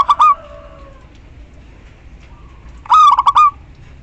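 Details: Local female zebra dove calling a male, a lure for mute perkutut. A clipped phrase ends first, then after a pause a full rolling coo of rapid pulses closes on a longer held note.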